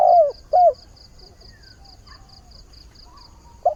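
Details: Spotted dove used as a decoy, calling at the start of the day to find a mate: two deep, husky coos close together, then quiet and a third beginning, with a steady high pulsed ticking throughout.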